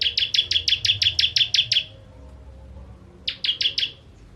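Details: Ciblek kristal, a bar-winged prinia used for tutoring other birds, giving a rapid string of ten piercing high notes, a pause of over a second, then a short burst of four more.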